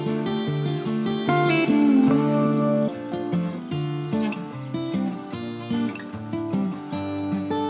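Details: Guitar-led music plays throughout with steady rhythmic chords and no clear animal voice.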